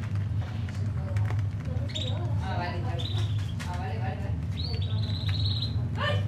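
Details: Two young white Fischer's lovebirds in their cage, hatched 7 and 11 November 2015, give short, shrill chirps and squeaky high notes in scattered bursts over a steady low indoor hum. Recorded 27 December 2015 at 11:52.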